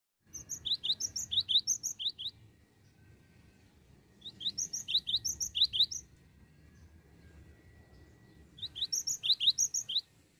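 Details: A cinereous tit, recorded for use as a lure, gives bursts of high, sharp chirping phrases about two seconds long, repeated every four seconds, over a soft low background hum.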